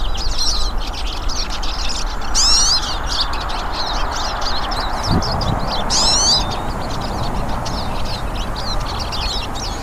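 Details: Several hooded siskins singing in the wild: ongoing high twittering chorus, twice broken by loud, rising and falling whistled flourishes, with a low background hum.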